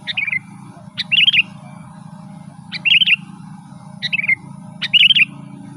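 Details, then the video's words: Energetic rolling song of a sooty-headed bulbul, played to attract wild birds and to tutor caged ones. Five short liquid phrases arrive at uneven gaps: a crisp high note, then a fast bubbling chatter, over a low background drone. "Suara burung kutilang gacor Garuda full gacor dan ngeroll"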